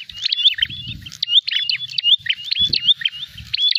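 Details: A fighting prinia seeking an opponent: rapid phrases of bright chirps and short upslurred whistles, repeated a little faster than once a second, with low knocks and rumble in the background.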